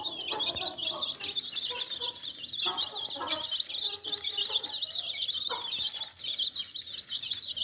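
A brood of chicks peeps nonstop in a dense chorus of high, shrill cheeps, with a few lower clucking notes underneath.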